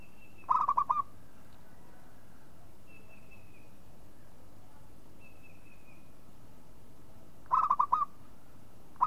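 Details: Local zebra dove giving short bursts of quick, soft cooing notes seven seconds apart, while thin high whistles from other birds sound faintly in the background.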